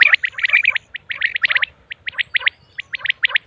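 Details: Female common quail producing quick, high chirps, first in a tight rattling cluster, then in spaced pairs and triplets.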